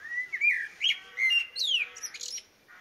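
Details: Blackbird singing in a Somerset garden during lockdown: rich, fluting whistled phrases, each ending in a thin, high twittering flourish, sung in quick succession.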